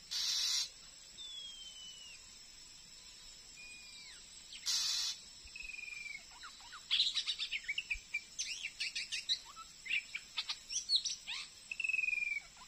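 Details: Glue-stick-caught wild Oriental magpie-robin near a house, still aggressive toward a decoy bird, gives long drawn-out descending whistles, then an energetic stream of sharp clicking chips and short whistled notes, with loud rustling bursts between.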